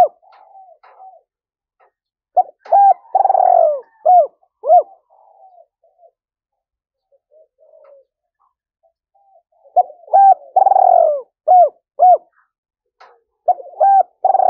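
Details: Spotted dove with a 'giọng thổ' voice, recorded in the forest while setting a lure: two bouts of low repeated coos, each a drawn-out wavering note among short hooted pairs, separated by a quiet pause of several seconds.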